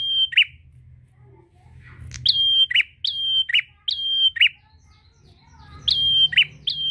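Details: Rival-calling prinia song: sharp high whistles each followed by a harsh lower buzz, repeated in a run mid-clip and again near the end, with low background hum.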